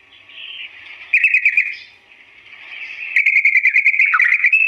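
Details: Sooty-headed bulbul, in an extended slow-pitched song for teaching other birds: faint opening warble, then a loud pulsing run, a quiet lull, and a final stretch of rapid evenly repeated chirps ending in a downward slur.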